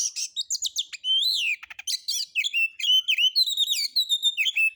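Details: White-rumped shama singing a rough, harsh lure song meant to provoke other birds: a continuous dense stream of whistles, sharp chips, rattles and rising and falling slurred notes.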